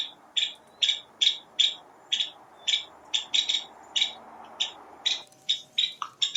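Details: A Nuttall's Woodpecker at Coto de Caza gives a series of sharp, harsh, slightly buzzy notes, about two or three per second, growing busier toward the end.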